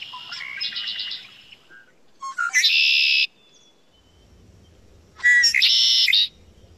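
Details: Red-winged Blackbird song, the spring-arrival sound in Quebec: two rounds of harsh, buzzy 'konk-la-ree', each a few sharp introductory notes then a long raspy trill, roughly three seconds apart.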